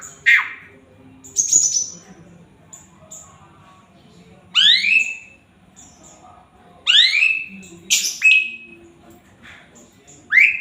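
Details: Male Javan pied starling in full song, used as master song for training: loud sweeping whistles rising and falling, with harsh squawky notes in bursts every second or two and short pauses between, over a faint background hum.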